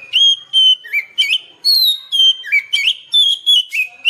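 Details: Oriental magpie-robin in natural song, used to make caged birds sing: a steady string of whistled notes, some sliding down and some kinked upward, delivered in quick succession with short gaps.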